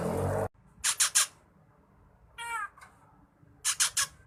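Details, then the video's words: Drongo in lively, full song meant for training other songbirds: a loud broadband rush opens, then three harsh, buzzy notes, a nasal harmonic call with a short click, and another triplet of raspy bursts. "Burung saeran gunting / sri gunting gacor full isian cocok buat masteran"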